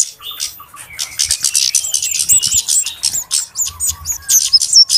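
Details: Busy flowerpecker lure sound for trapping birds: quick, high, sharp ticking calls mixed with thin curling whistled notes, with faint lower warbling from other birds in the background.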